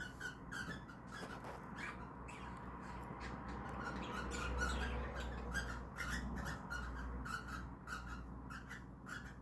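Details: Indoor pet cockatiels during a mating attempt make a rapid string of harsh squawking pulses, several per second, rising in loudness midway, over a low steady room hum.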